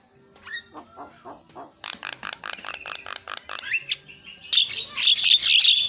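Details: Javan myna lure song used to coax silent birds into singing: soft, wavering notes give way to fast, rhythmic, rasping chatter, building to a loud, hissing, high-pitched wheeze.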